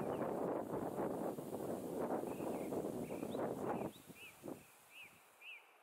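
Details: Two female Black Woodpeckers in a ritualized antagonistic conflict give short, arched, slightly squeaky notes in a quick irregular series, partly buried under heavy wind and rustling at first.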